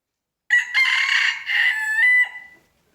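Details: Rooster giving a morning crow: a high, raspy cock-a-doodle-doo in four joined syllables, the last held and ending on a thin falling tail, in otherwise quiet surroundings.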